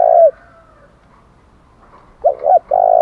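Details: Spotted dove challenge call for fighting, in 'thổ đồng' voice: a coo ends, a pause of about two seconds follows, then two short hoots lead into another long, even coo.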